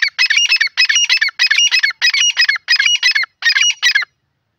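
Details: Grey francolin calling in a jungle, loud shrill phrases of harsh stacked notes, six bursts each lasting about half a second, separated by brief gaps, then silence.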